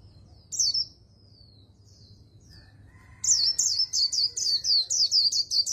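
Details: Oriental white-eye singing the rapid líu style with a magpie-robin-like voice: one sharp high note and soft thin tails, then a dense run of about twelve quick, high, downward-swooping chirps.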